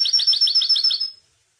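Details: European goldfinch song played for tutoring young goldfinches: a rapid phrase of about six bright, slurred high notes repeated evenly for about a second, then silence.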